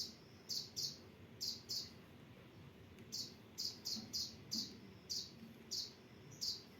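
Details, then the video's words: Recording of a kolibri ninja sunbird for training captive birds: sharp, high chirped notes given singly or in quick doublets and triplets, spaced irregularly over faint background hiss. "Masteran Kolibri Ninja"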